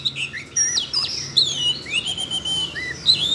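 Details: Siberian rubythroat singing after being stirred by voice-training audio meant for a young bird; fluent high warble of slurred whistles, rising and falling glides and quick chirps, almost without gaps.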